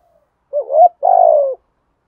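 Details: Spotted dove decoy bird cooing in the 'giọng thổ' style to provoke wild doves into fighting: a short hooting note, a rising slurred coo, then a longer buzzy coo falling slowly in pitch.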